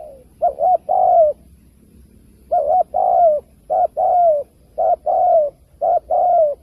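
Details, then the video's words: Spotted dove used as a trapping lure. One two-part coo opens. After a two-second silence come four more in quick succession, each a short stuttered note followed by a longer, gently descending coo. "Tiếng chim cu gáy kích bổi cực đỉnh"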